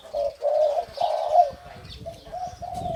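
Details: Crowing of a caged male 'sai din' line spotted dove from Thailand, sibling of the breeding sire: a few deep, soft coos in a short phrase, the later notes fainter.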